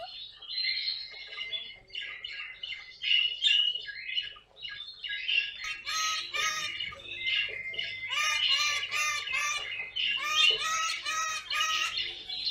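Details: Caique parrot kept as a pet, filmed for fun: a run of high chirps gives way to loud, raspy, repeated squawks with harmonic, almost sung tones in the second half.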